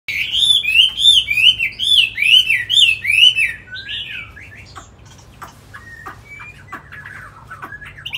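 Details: Tame caged Chinese hwamei from Hanoi, Vietnam, kept as a songbird, delivering a run of loud, looping whistled phrases rising and falling, repeated about once per second for three seconds, then fading into scattered quieter notes.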